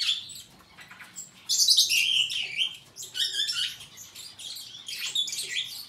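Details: Song of a superb starling: quiet start, then a loud burst of scratchy chirps and high whistles, followed by further chattering phrases.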